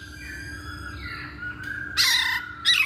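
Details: Masked laughingthrush on a lure recording meant to make other birds sing: a drawn-out whistle is followed by two harsh, noisy squawking bursts.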